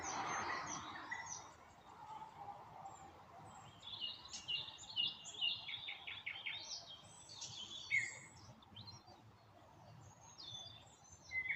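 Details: Nightingales singing at sunset in the Moscow region while acacia blooms; faint bursts of rapid repeated notes and sharp whistles in changing phrases, with other birds chirping and a steady background hiss.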